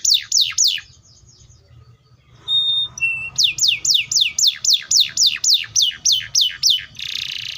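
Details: Canary song: a few falling notes, a quiet pause with a short whistle, then a long regular series of loud downward sweeps ending in a buzzy burst.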